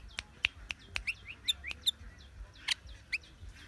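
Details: Sooty-headed bulbul giving short, clear downslurred chirps scattered at irregular intervals, mixed with crisp sharp clicks and snaps, over a faint low rumble in the background.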